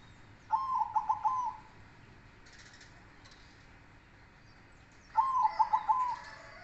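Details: Manggung song of zebra doves of silver and cemani types: two bouts of quick, stuttering coos, each ending in a rolling trill, about four seconds apart, with faint chirps and a low hum behind.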